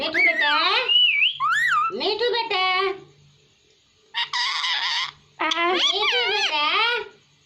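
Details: ['Hindi-speaking pet parrot chattering in speech-like phrases, strongly harmonic and wavering, with a harsh buzzy burst near the end and brief pauses between phrases.']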